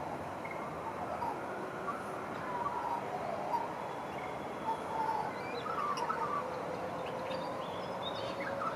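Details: An Australian magpie sings on a balcony in East Perth, carolling in warbling, flute-like phrases that rise and fall in the mid range, with a few higher chirps over a steady background hum.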